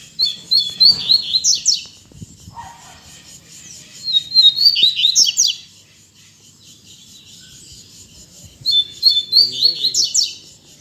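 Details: Captive double-collared seedeaters (coleiros) singing again after expected moult, used to stimulate other birds; three bright phrases about four seconds apart, each of rising whistled notes ending in fast buzzy trills, over faint low background noise.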